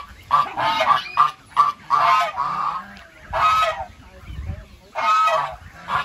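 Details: Harsh, loud goose honks, some short and clipped, others long and blaring, delivered in irregular bursts.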